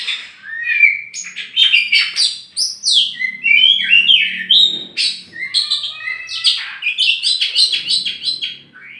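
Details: Tame champion oriental magpie-robin from Meulaboh, Aceh, let loose in the open before being caged, sings a rich, varied run of sweeping whistles, chirps and quick trills, mostly high-pitched, with brief pauses between phrases.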